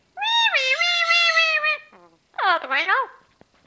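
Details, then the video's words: A 10-year-old female pet Amazon parrot talks in two speech-like phrases, a long, rich, nasal utterance and then a shorter wavering one, in an otherwise quiet room. "Parrot Mookie talking & singing"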